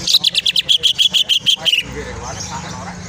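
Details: Greater green leafbird in full ngentrok song, played as a lure to provoke other birds: a fast, loud string of bright, high chattering notes, about ten in under two seconds, then quiet background hum.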